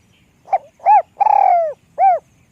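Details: One complete phrase from a small-voiced Spotted dove: a short soft note, an arched coo, a long quavering coo sloping down and a last rounded coo, with no other sounds.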